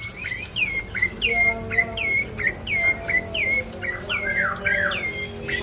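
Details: Bar-winged prinia, locally prenjak coki, in full lively song: a string of roughly a dozen clear whistled notes, each swooping down then levelling off, repeated about every half second.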